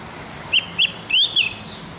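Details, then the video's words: Javan grey-throated white-eye singing in the morning, used as a tutor song for captive birds: four short, clear, high whistled notes, each quickly rising then falling, the third longer and slurred, over a quiet background. "masteran burung opior jawa"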